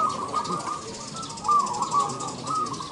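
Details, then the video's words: Zebra dove cooing at an Indonesian bird-singing contest: short, soft, rounded coos in brief bursts over a steady background hum, with faint sounds that may be voices. "LOMBA SUARA BURUNG PERKUTUT ||PERKUTUT MANGGUNG INDOONESIA"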